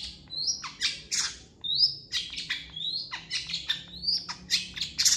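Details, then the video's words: A Long-tailed Shrike sings a fast, varied song: rising whistled notes mixed with harsh, scratchy chatter, several phrases a second, with no other sounds. "MASTERAN CENDET GACOR"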